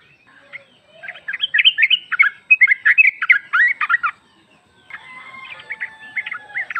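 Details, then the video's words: Calling sooty-headed bulbul female summoning the male, used to lure a bird into answering; rough, jumbled chattering notes in two dense bursts, ending in fainter, scattered chirps. "Trucuk betina memanggil jantan"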